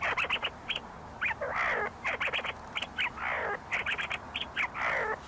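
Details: See-see partridges in a group inside University of Sulaimani, Kurdistan, fighting and foraging in low rocky terrain: quick bursts of sharp clipped notes broken by harsh rasping squawks every second or so, an excited chattering series.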